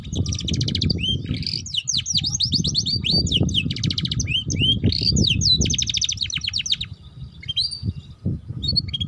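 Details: Canary song from a lure recording to get young canaries singing 'ngeriwik' style. Dense varied phrases mix fine fast trills, curved whistled upslurs and rattles, steady for most of the stretch, over loud low rumbling background noise.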